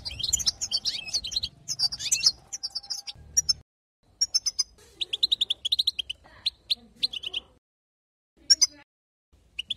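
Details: European goldfinch babbling song intended to stir up other goldfinches, beginning with a burst of dense twittering, then separate high chirps and quick rattling trills of repeated notes, separated by short silences.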